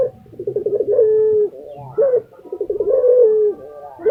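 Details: Indonesian kept lutino Barbary dove cooing steadily: each phrase opens with a quick rising note, rolls through pulsing throaty beats and settles into a long flat hum, twice in quick succession.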